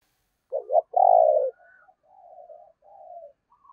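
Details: Spotted dove decoy bird with a Thổ-style voice cooing: two short throaty notes, then a loud drawn-out low coo, followed by softer, fainter cooing phrases.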